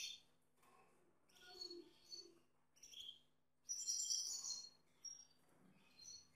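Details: Male Gloster canary with his female: bursts of bright high twittering and whistles, the loudest and densest around the middle, alternating with softer lower notes and a steady faint hum.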